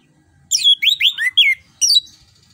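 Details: Orange-headed thrush song meant to get a silent bird singing: a quick sequence of loud, sweeping whistled slurs, mostly falling, with a short pause before a final phrase.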